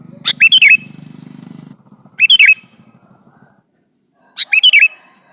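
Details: Male sooty-headed bulbul calling a female: three short, bright, warbled whistled phrases, each about half a second, spaced roughly two seconds apart, with a low droning hum underneath at the start.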